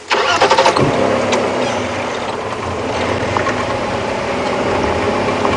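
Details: A safari vehicle engine idles steadily during an afternoon wildlife drive, with a brief rattle near the start and no animal calls heard.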